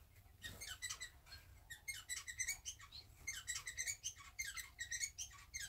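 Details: Two pet society finches at home preening after bathing while sitting pressed close together; rapid series of short high chirping and scratchy notes mixed with faint rustling of feathers, indoors.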